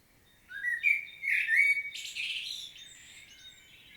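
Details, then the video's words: Common blackbird singing a powerful solo in Świnoujście, Poland, on 25 September 2022: low fluted warbling notes that slide and waver, then a squeaky, twittering high flourish at the end of the phrase. "Blackbird's solo"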